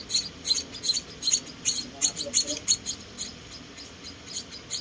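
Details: One of four rescued munia chicks being fed, giving high squeaky chirps in uneven bursts with brief pauses, over a quiet indoor background.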